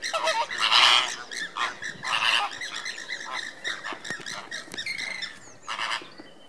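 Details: Flock of Andean flamingos (Phoenicoparrus andinus) in group display on April 29, 2014: harsh, nasal, goose-like honks overlapping in a busy chorus, rising and falling in bursts about every second or two.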